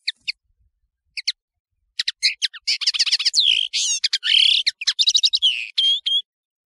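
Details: European serin recorded for a serin tutoring tape: scattered high chips build into a dense, rapid jingle of buzzy trills, sharp notes and slurred whistles, lasting several seconds.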